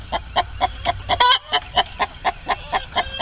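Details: Chicken in a farm coop while trying to lay an egg: regular, evenly paced clucks about four per second, with one short, harsh squawk breaking the rhythm near the middle.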